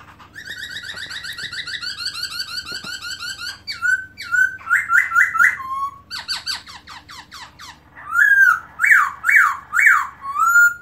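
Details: Melodious song of a black-throated laughingthrush, recorded in 2017 with the tail fanned open: a buzzy harmonic trill, then loud rhythmic looping whistles in quick series and bright slurred phrases.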